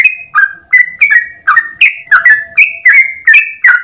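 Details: Yellow-vented bulbul (trucukan) in lively 'ropel' long-breath song in the morning, used as a master recording for other birds: bright whistled notes about every third of a second, alternately rising and falling, over a faint steady hum.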